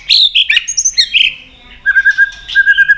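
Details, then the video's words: White-rumped shama giving a fighting song with tail flicking toward a rival: a few bright, full whistles, a pause, then a quick steady run of short even notes. "chòe Lửa đập đuôi tạch kích căng, kích Chòe Lửa hót đấu căng lửa.chòe Lửa hót giọng dài"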